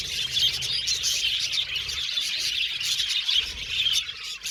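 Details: Continuous high-pitched chatter from several budgies, overlapping quick chirps and short warbled tweets blending into a lively, even flock sound.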